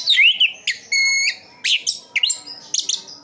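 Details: Captive orange-headed thrush in loud, varied song: quick slurred whistles, sharp rising sweeps and one held ringing note, delivered in rapid unbroken phrases.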